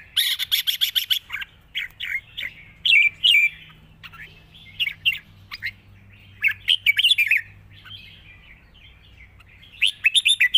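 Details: Red-whiskered bulbul singing a long song with 'rik' notes: continuous bright whistled phrases of quick rising-and-falling notes, loud bursts alternating with softer warbles, and a final rapid burst.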